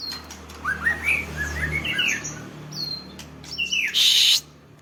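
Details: Songbird sunbathing, giving short rising chirps in a quick cluster, then a thin drawn-out whistle and a few sharp notes, ended by a loud rushing burst like wing flapping or handling noise.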